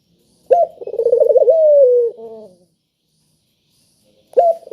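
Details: Spotted dove, used as a prompt to get quiet doves calling: a loud clear coo opening with a rising note, then a fast quavering trill settling into a long falling hoot, a short extra note after, and a new phrase starting near the end.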